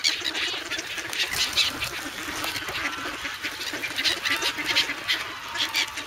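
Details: Young grown geese clamouring for bread in snowy Sloterpark, Amsterdam, February 3; a steady stream of raspy, overlapping honks from several birds over a broad hiss of background noise.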